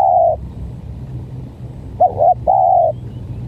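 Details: Spotted dove, a decoy bird in a stuttering-call contest against an odd-voiced rival: a long level hoot ends one phrase, then a short wavering two-part note leads into another drawn-out coo, with a low rumble underneath.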